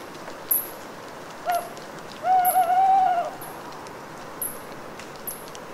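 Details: Solitary owl in a wood at Les Assions, southern France, on an autumn night after long rain; one wavering, slightly quavering hoot, while regular sharp high ticks and drips from the trees sound around it.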